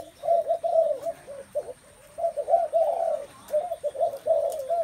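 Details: Spotted doves give mellow, hollow coos in short bursts of rounded notes. Two groups of phrases are split by a quieter gap near the middle.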